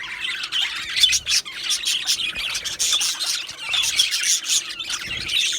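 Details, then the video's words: Two male budgies keep up a steady warbling chatter of squeaky chirps, clicks and short whistled notes, overlapping and rising and falling in loudness. "2 Male Budgies Birds Sounds | Australian Budgies Birds chirping sounds"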